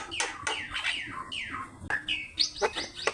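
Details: Javan myna song used as training master: loud descending whistled slurs and sharp clicks, several falling notes in quick succession followed by short squeaky chips.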